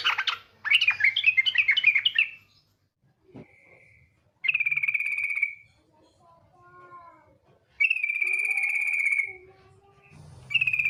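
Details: Female yellow-vented bulbul calling 'ngetir' as a lure to make bulbuls sound off: a chattering warble, then long harsh buzzy rattles repeated after gaps, with softer lower tonal notes between them.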